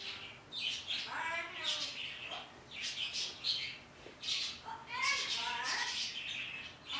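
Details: Pet parrot talking to the birds outside one morning: voice-like babbling phrases with wavering tones between grating squawks and short chirps, coming in uneven bursts separated by brief pauses.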